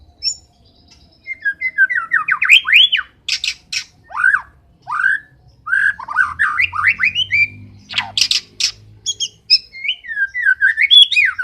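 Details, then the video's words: Energetic white-rumped shama song, a tumbling mix of rising and falling whistled slurs, loud harsh broadband bursts and quick repeated notes in dense phrases, over a quiet low hum. "MURAI BATU MAIN NGOTOT"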